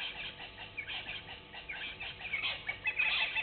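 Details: Egyptian goose at Gowrie dam waterhole, Djuma Game Reserve, Sabi Sand Wildtuin, South Africa, on a live waterhole camera on 24 May 2019 at 17:27; harsh cackling bursts in quick series, growing louder toward the end, over a steady low hum.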